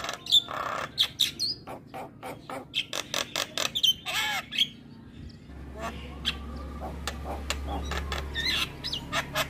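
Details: Javan myna in energetic song with varied fill-in phrases for tutoring young birds: a fast run of sharp clicks and squeaks in the first half, then quieter scattered notes over a low steady hum.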